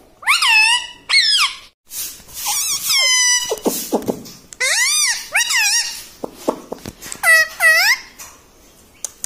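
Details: Pet talking parrot (tota) in a small room, said to say 'Mitthu', 'Papa' and 'Mummy'; repeated loud, nasal, speech-like phrases of two or three syllables with swooping pitch, mixed with clicks and short pauses.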